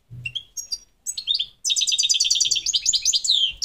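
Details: A European goldfinch of the subspecies parva opens with a few separate high whistled notes. It then breaks into a rapid, tinkling twitter of rolling trills and buzzy chatter that runs to the end. A low thump is heard near the start.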